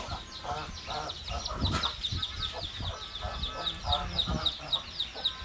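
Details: Gosling giving rapid high, thin peeps that slide downward, several per second, over lower honking calls and some background voices.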